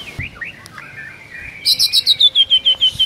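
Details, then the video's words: Morning song of a white-rumped shama (murai batu) in full voice with rich fill: soft slurred whistles, then a fast run of about ten bright, high chipping notes descending slightly in pitch. "MURAI BATU GACOR ISIAN MEWAH"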